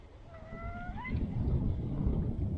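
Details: Kept chukar partridge giving one drawn-out whistled note, steady then stepping upward at the end, over a low rumbling background.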